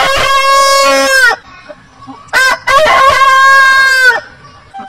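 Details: A rooster gives a long, strained crow of over a second, then a short burst and a second drawn-out crow that holds level and cuts off sharply, with quiet pauses between.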